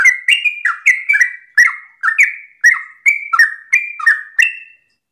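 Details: Rapid 'ropel' song of a sooty-headed bulbul in the morning, meant to get other bulbuls singing: a chain of cheerful, liquid chirps and warbles with crisp starts, carrying on for nearly five seconds before stopping.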